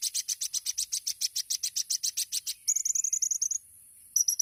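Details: Olive-backed sunbird, locally kolibri ninja, in tembakan song. A steady series of bright, high chips at a rapid beat turns into a tighter trill, falls silent, and briefly starts again.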